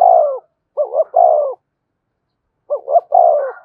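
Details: Decoy spotted dove cooing to stir up freshly trapped birds. A burry falling coo ends, then two full phrases of two quick rising hoots and a drawn-out descending coo, separated by almost two seconds of silence.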